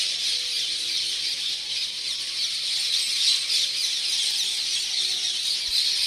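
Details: Very early morning chorus of hundreds of parrots making loud noise, heard as an unbroken mass of shrill squawks and squeals layered over one another, with a few sharper calls standing out near the end.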